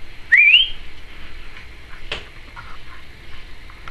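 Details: Timneh African grey parrot kept as a pet, said to speak the phrase trick or treat; a single loud whistle rising in a wavering glide, followed by faint clicks and room hum.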